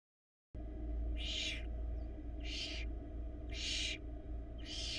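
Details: A barn owl nestling at a camera-monitored nest in Florida tries to gulp down an oversized rat. After a brief silence come four rasping hiss-screeches about a second apart, over a constant low electrical hum.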